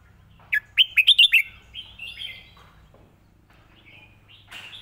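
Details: Red-whiskered bulbul model song for training birds: a clear burst of five rapid bright chirping notes, then softer wavering whistled notes fading off, with a brief rough note near the end.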